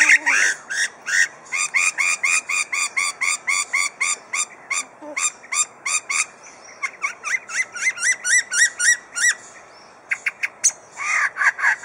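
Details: The Adelaide Zoo lyrebird pours out fast, loud, clipped notes, about four a second, breaking into varied rising whistles and sharp bursts near the end, while reeling off mimicry of drill, saw, hammer, kookaburra, magpies, whipbird, magpie-lark and a lorikeet flock.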